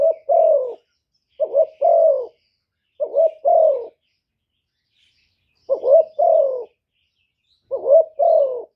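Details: Spotted dove used as a decoy, cooing gáy gù to rouse other doves. Five low phrases of a quick doubled note then a falling coo, the first three close together, then a longer gap before the last two.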